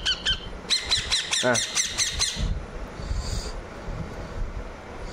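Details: Pet ringneck parrot being offered a banana: a loud, rapid train of rasping squawks for about two seconds, then quiet background noise and faint thumps.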